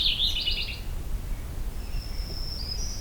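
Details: Purple Finch on a jack pine top, overcast morning: a short, lively warbled phrase under a second long, then a thin, drawn-out high whistle from another bird.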